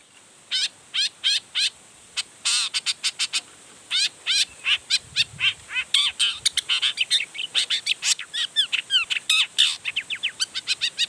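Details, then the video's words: Long-tailed shrike in lively full song meant to provoke other shrikes into singing; a long run of rapid, sharply repeated chirping notes, several per second, with short pauses and varied slurred phrases. "Cendet Gacor Full Emosi Bongkar Materi Bikin Cendet Lain Langsung Panas Nyaut Ikutan Bunyi"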